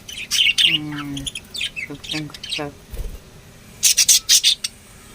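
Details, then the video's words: Lovebirds chirp and squeak; a low stepped buzzy sound repeats several times in the middle, then a burst of loud sharp high squeaks. "love birds singing sounds"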